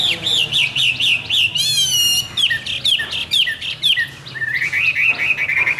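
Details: Hwamei in morning song, pouring out rapid, repeated looping whistles around two notes a second, with a sudden rich harmonic-laden slurred phrase, then more varied chirping whistles and a quicker trill at the end.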